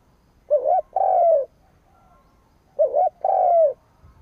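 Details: Decoy spotted dove calling to provoke rival birds: two cooing phrases about two seconds apart, each a short wavering double note followed by a longer, steadier, slightly falling coo; quiet background otherwise.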